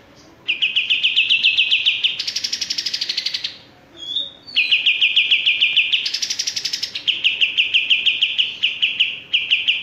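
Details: Male olive-winged bulbul pouring out continuous fast chirping trills, interrupted twice by harsher higher rasping bursts and one brief whistled note.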